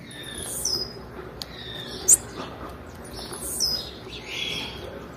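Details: Blue-black grassquit female calling to stir males: thin high descending notes alternating with a sharp piercing chirp, about three calls in five seconds, over a light hiss.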